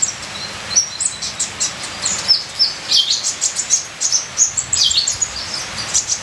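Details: Ninja sunbird song: a quick series of bright, very high chirps and short trills, evenly spaced, with steady light rain-like hiss underneath.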